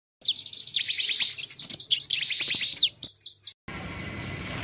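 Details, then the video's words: A grey-cheeked bulbul pours out about three seconds of fast, scratchy chatter laced with sharp, high whistled chirps, followed by a burst of hissing noise. "Cucak Jenggot Gacor"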